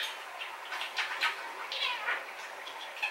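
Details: A male rainbow pet budgerigar talking, chattering in a rapid run of scratchy, warbled syllables and squeaky notes, with bursts of higher whistled sounds mixed in.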